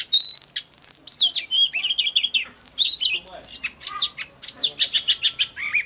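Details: Highly excited oriental magpie-robin song for calling in wild birds: loud, nearly continuous torrent of high whistles, chirps and fast repeated notes throughout.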